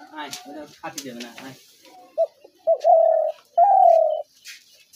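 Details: Spotted dove call used as a lure for dove traps: human voices at the start, then two short coos and two long, level, slightly descending coos.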